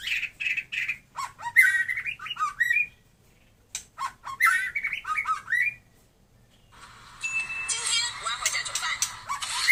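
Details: White-rumped shama, Taiwan type, singing phrases of chatter and whistled slurs separated by short silences, ending with a long noisy section and a thin steady whistle.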